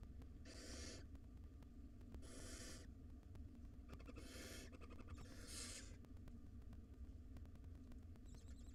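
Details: Wild barn owl nestlings, five hungry young in a monitored nest box at dinner time, give four harsh, breathy hissing screeches, each about half a second long, over a steady low hum.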